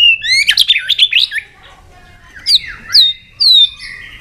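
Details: White-rumped shama roused to fighting song, with a dense tangle of fast high whistles, then a pause and three separate sharp upslurred whistles.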